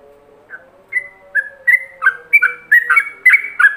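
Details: Yellow-vented bulbul master song in ropelan style, recorded so other bulbuls can imitate it: starts with spaced, level whistles, then speeds into a jumbled run of overlapping bubbly notes, with a low steady hum underneath.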